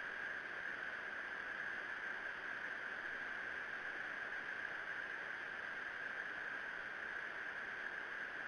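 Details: Steady electronic hiss with a constant midrange hum from a nest camera in February, without any calls.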